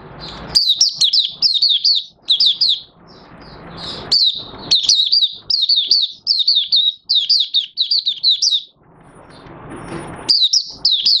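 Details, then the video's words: Caged oriental white-eye recorded 25 August 2022 after a three-month study of sleeping uncovered at night, pouring out extended high-pitched twittering phrases of fast descending chirps, broken by short gaps and a brief hiss. "Mata Puteh Raja Buka Sing"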